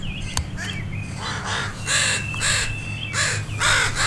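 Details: Alarmed crows mob a dog near two juveniles just learning to fly; a sharp click opens, then harsh caws build to a quick, irregular series from several birds, with a thin whistle and low hum beneath.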